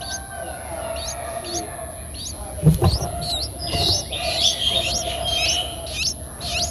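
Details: Nine-day-old Streak-eared Bulbul nestlings in Ubon Ratchathani, Thailand, on 11 April 2023, whose eyes opened at seven days. They make a rapid run of short, high, upward-flicked squeaks, about two per second. A steady high hum and one knock are also heard.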